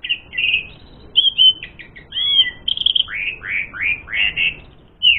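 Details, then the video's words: Asian pied starling song used as a lure to provoke fighting: sweet whistled slurs and clear held notes, then a run of about eight rising-and-falling upslurred phrases in quick succession. "Suara Burung Jalak Suren Gacor Full Isian Mewah Jadikan Suara Pancingan Jalak Suren Tarung"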